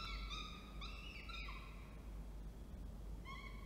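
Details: Male falcon delivering food and female feeding, Orange, NSW, Australia, 19 October 2024: a quick run of short, nasal, harmonic whining notes, a brief gap, then one more wail, with background rumble.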